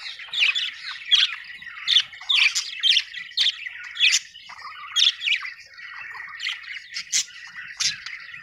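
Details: Happy budgerigars chirping: bursts of squawky, buzzy chatter repeating roughly every half second to second, rising and falling in quick scratchy notes, with brief quiet gaps between phrases.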